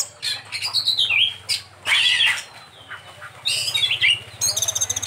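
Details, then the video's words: Oriental magpie-robin with a filled-in (isian) song: short bursts of falling whistles and harsh squawky notes, broken by brief pauses, ending in rapid clicking notes over a low background hum. "Burung Kacer Isian nya Super mewah"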